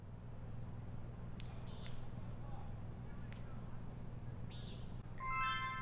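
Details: Common Nighthawks flying around actively at dusk while camping in southern Utah's Boulder–Escalante area give a few short, nasal, buzzy peents, spaced irregularly, over a steady low rumble, with a brief harmonic sound at the end.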